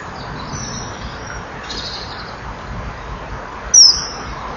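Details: Common kingfisher at its nest, 8 October 2013 around 07:01, flying in calling past a nest camera to a perch and away: fainter high notes, then a single shrill, very high whistle, over a steady low rumble.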